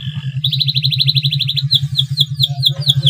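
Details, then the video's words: Male canary in breeding condition: a fast, even trill held for over a second, then a string of sharp downslurred chirps, all over a loud pulsing low throb. "CUIT CUIT KENARI JANTAN BIRAHI UNTUK MERANGSANG BUNYI KENARI LAWAN AGAR MAU BUNYI DAN GACOR"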